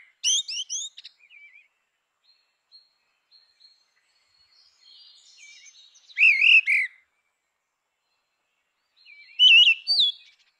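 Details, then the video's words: Grey-winged blackbird song: clear whistled phrases with slurred rising and falling notes, delivered in short bursts separated by several seconds of quiet, with faint high twittering between phrases. "Canção do melro com asas cinzentas! Som de melro com asas cinzentas! Chamada de melro com asas cinze"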